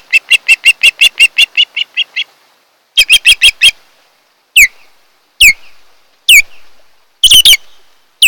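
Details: Osprey pair at their nest on Kent Island, Maryland, in July: a fast series of about ten sharp, piping chirps, a shorter burst of four, then single loud whistles that slur downward, spaced about a second apart.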